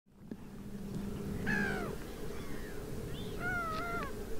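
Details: Water rail in the Suscinio marsh, Morbihan, on 23 August 2022, during a drought: two drawn-out, harmonic, squealing calls that sag downward at the end, about two seconds apart, over a steady low hum.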